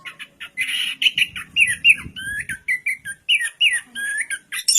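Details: Varied orange-headed thrush song of mid-pitched warbled whistles and slurred notes, some rising, some falling, given in quick succession with faint low murmur underneath.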